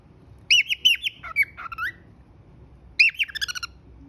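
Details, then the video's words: Pet cockatiel produces clear whistled notes that rise and fall, a few slurred squawky phrases, then after a short pause a fast series of chirping whistles. "cute Whistle"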